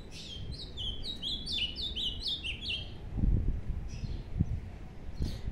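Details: A captive ultramarine grosbeak in training sings a quick, sweet warbled phrase of about a dozen down-slurred whistles in under three seconds, then low rumbling background noise with faint chirps.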